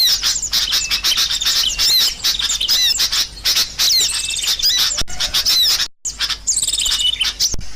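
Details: Noisy calling of sooty-headed bulbuls used as a lure to trap birds, with busy bright chirps, quick rising whistles and rattled trills crowding together, broken by a brief gap near six seconds.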